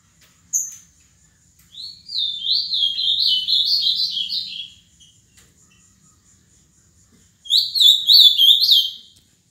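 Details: After a sharp click, a caged seven-year-old Ultramarine grosbeak from Paraná gives a high, sweet warbled phrase of slurred notes, falls silent for a few seconds, then starts another phrase.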